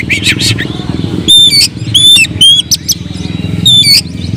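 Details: Oriental magpie-robin in agitated song, used as a lure for other birds: several loud pure upslurred whistles between harsh bursts, with a low pulsing engine-like rumble underneath.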